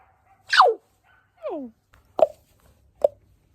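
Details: Common raven talking with a person: a loud downward-sweeping squawk, a softer gliding two-part call, then two short knocking clicks. Quiet background.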